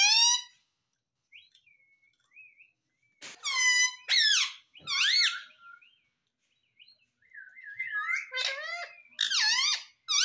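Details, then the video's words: Pet Indian ringneck parakeet indoors saying "mummy mummy": loud arching squawky syllables in bursts, with quieter thin whistled notes and chatter between them. "Indian Ringneck Parrot Sound || Cute Mitthu Speaking Mummy Mummy"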